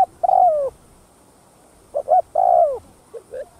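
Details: Spotted dove cooing in the full 'thúc gù' song style, played to stir other captive doves into calling: a brief hoarse note, a long mellow downslurred coo, paired short notes, then another long falling coo and soft short notes.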